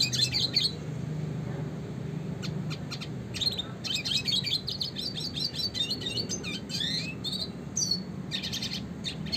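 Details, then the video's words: Classic red siskin singing in a busy, chattering style used for training songbirds: rapid high twitters and buzzy bursts come in clusters with short gaps, over a steady low background hum. "kicauan suara burung red siskin klasik gacor untuk pancingan dan masteran burung berkicau"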